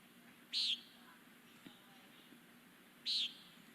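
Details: Common Nighthawk in Newfoundland gives two short, buzzy, nasal 'peent' notes, its most often heard call, similar to an American Woodcock's, about two and a half seconds apart over a quiet background.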